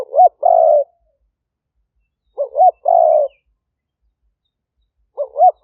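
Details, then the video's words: Spotted dove used to call in wild doves for trapping, Roi Et, Thailand, recorded live in 2021; two complete burry coo phrases, each opened by two quick looping notes, plus the start of a third after a long pause. "เสียงต่อนก หลิ่วตันสายพันธุ์ดุ #8 นกป่าเรียกกุกเข้าเร็ว เสียงนกเขาใหญ่ป่าเต็ม100"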